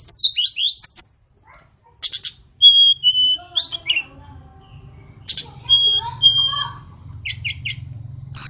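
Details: Sunda robin from Kokap, Kulon Progo, Yogyakarta, a small songbird that can mimic other birds, singing a varied run of high, clear whistles, slurred notes and quick rattling trills in short bursts over a faint low hum.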